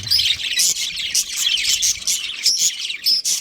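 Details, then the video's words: Budgies of a breeding pair giving fast, scratchy chirps mixed with clear whistled squeaks in rapid pulses, loud and nearly continuous. "Amazing budgie chirping sounds | budgies breeding pair"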